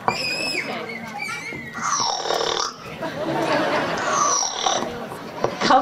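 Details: A male Yellow-naped Amazon at African Lion Safari, May 17, 2009, imitates a pig, giving rough, snorting grunts and oinks between bursts of human speech.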